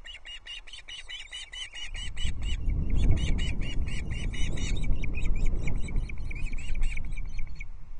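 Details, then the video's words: Ospreys chirping on the Loch Arkaig nest, 17 July 2022, as fish number three, a whole brown trout, arrives: fast, repeated high chirps throughout, partly masked by a loud, low rushing noise from the second second on. "Everyone starts chirping when fish number three arrives on the Loch Arkaig Osprey nest"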